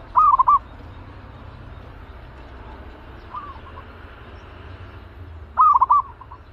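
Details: Fierce caged zebra dove, ready to be trained as a decoy for trapping, utters a bright, bubbling, rolled coo, then a faint distant reply, then another loud rolled phrase about five seconds later, over low background rumble.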